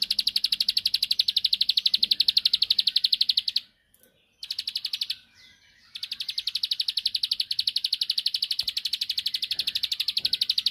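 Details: Rival-provoking song of the bar-winged prinia (ciblek sawah): long runs of rapid, high, buzzy clicks at a steady pace around four per second, interrupted by two brief gaps, then continuing strongly to the end.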